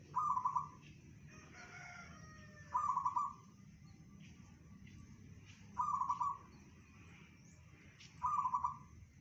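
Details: Local zebra dove repeating its bedah karang song, said to reach 500 meters: four short, rapidly pulsed coos two and a half to three seconds apart, with a brief harmonic call from another bird after the first.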